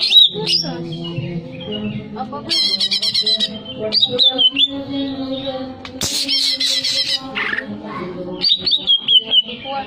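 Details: Breeding-arousal song of the greater green leafbird: long varied sequence of high looping whistles broken by loud rasping buzzy bursts, one sharp crack midway, and a steady low hum throughout.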